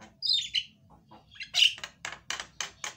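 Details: Javan myna song used to prompt a silent myna to sing: an opening whistled slur, a loud harsh burst, then four evenly spaced rasping notes about every quarter second.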